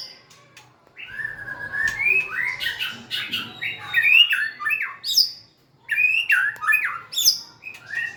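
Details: Song of a white-rumped shama that dances and wags its tail: after a brief quiet start come long fluting whistles and tumbling varied phrases, with high sharp notes near the end.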